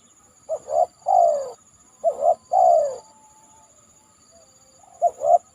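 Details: Spotted dove (tekukur) calling near a banana trunk after heavy rain; loud repeated coos, each a short double note followed by a longer descending purring coo, phrase repeated about every 2.5 seconds, faint steady insect hum in background.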